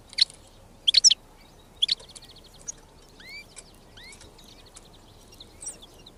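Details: Wild European goldfinch singing: sharp, high chipping notes in quick bursts, then a short dry trill and clear rising slurred whistles, all high-pitched and irregular, over a faint low background hiss.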